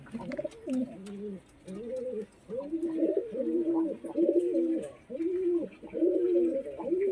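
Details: Pigeons fighting, with two ganging up on one, give deep, throaty rolling coos in quick overlapping bursts while a person speaks faintly indoors.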